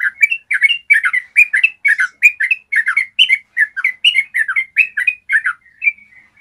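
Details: Yellow-vented bulbul giving a long, clear trill ('ropel panjang'), used as a master song to train bulbuls to sing. Rapid, steady run of short, bubbly, warbled notes, about three per second, dropping to softer notes at the end.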